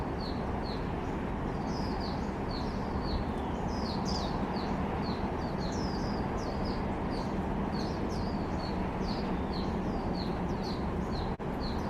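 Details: Grey-headed canary-flycatcher recorded in Hong Kong, 22 December 2020, on a Canon M50: dense run of sharp, high, slightly varied chirps, some doubled and overlapping, quickening mid-clip, above a loud steady low background hum.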